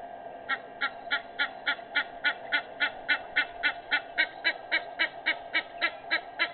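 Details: Morning recording of an Egyptian goose, 06:25 on 18 May 2019, delivering a long, very regular run of rasping honks, roughly three to four each second, against a constant low hum.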